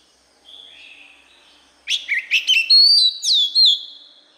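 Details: White-rumped shama song meant for teaching young birds: a soft faint whistle, then a loud run of sharp chips turning into sweet, sliding whistled notes.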